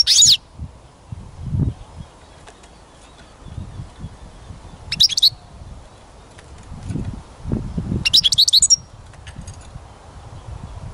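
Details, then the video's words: European goldfinch singing outdoors while songbirds are being trapped: brief high twittering phrases at the start, around 5 seconds and a longer tinkling burst near 8 seconds, with rustling and low background noise between. "Пение Щегла"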